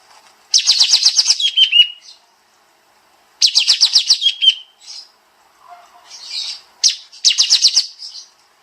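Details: Kapas tembak (sooty-headed bulbul) firing dense bursts of rapid high chirps that end in a short lower slurred note. A third, broken burst follows some softer, scratchy notes.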